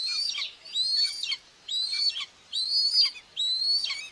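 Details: Two common buzzard chicks fed by their mother at a nest in Tiszalök, Hungary, 2 June 2024; four thin, strained whistles, rising then falling, separated by short pauses.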